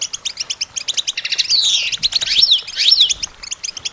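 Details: Training song of a European goldfinch: bright rhythmic twitters, then a sweeping downslurred buzz and two thin sliding whistles, closing with more quick chirps.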